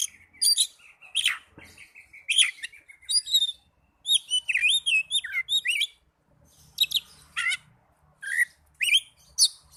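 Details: Young Oriental magpie-robin singing a varied, rich song of clear whistles, rising and falling slurred notes and short harsh chirps, delivered in quick bursts with brief pauses between phrases.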